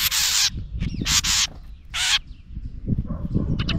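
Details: An angry house wren near its nest, scolding a camera placed beside it. It gives three harsh, buzzy, rasping bursts about half a second each, with low rumbling wind-like noise underneath.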